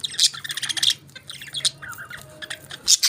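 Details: Budgerigars eating favourite food give a quick run of loud, rattling squawks, then softer twittering and short whistles, ending with another sharp squawk.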